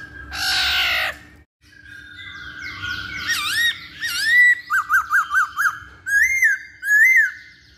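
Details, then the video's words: Masked laughingthrush, played as a lure for other birds, starting with a harsh noisy rasp, then wavering whistles and a quick run of five hooked notes, with arching whistles at the end. "Pancingan Poksay Hongkong"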